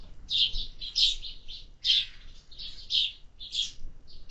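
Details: Several harsh chirps from sparrows at a feeder in summer, delivered in bunched groups about every half second to one second.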